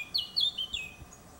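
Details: Eurasian blackcap in a garden giving a short burst of loud, pure fluted whistles, three or four notes sliding downward in quick succession before fading away.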